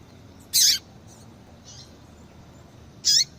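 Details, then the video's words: Female yellow-bellied seedeater calling to stimulate male song. Two loud, piercing high chips about two and a half seconds apart, separated by faint, softer notes and a quiet hissing background. "Fêmea de Papa capim Chamando Muito para Esquentar papacapim !"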